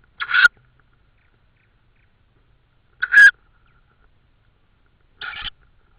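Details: Tawny owl in Estonia on 14 May 2013 at 21:43, with prey noted. Three short, harsh, rasping bursts about three seconds apart, in otherwise silent night air.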